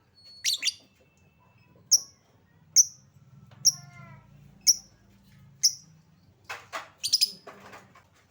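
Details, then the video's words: Lovebird used as a lure to get reluctant lovebirds singing: evenly spaced sharp high chips about once a second, a soft lower warbled note between, then clustered harsh shrill screeches. "Lovebird Susah bunyi Pancing Dengan Suara pancingan Lovebird ini, Pasti bakal langsung Respon Cepat"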